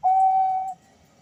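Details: Male zebra dove calling in reply to another male, one clear level whistled note held for about two thirds of a second, then quiet with faint low background murmur.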